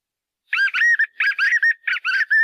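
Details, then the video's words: Song of the white-eared puffbird, or joão-bobo: a fast, continuous run of rolling, doubled whistled notes with a steady ringing tone between them, loud and close. "Canto Do Pássaro JOÂO BOBO (Nystalus chacuru)"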